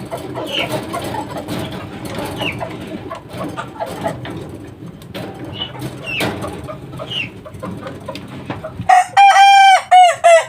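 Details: Three-month-old Kukuak Balenggek rooster chick crows near the end, opening on a steady ringing note and then stuttering into a quick series of clipped, descending syllables, preceded by a long stretch of soft scattered chicken calls and farmyard noise.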